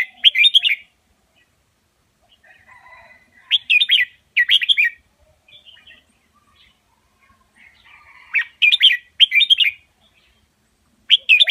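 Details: Master song of a Red-whiskered bulbul in Indonesian double style, used for tutoring young birds; quick, rich warbled phrases come in pairs and triplets separated by quiet gaps filled with faint low twittering.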